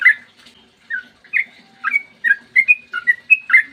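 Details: Sooty-headed bulbul in a long rapid-fire song style called ropel panjang, recorded in the morning as a lure to provoke other bulbuls into singing; short liquid whistled notes, rising and falling, come in quick bursts that grow denser toward the end over a faint low hum.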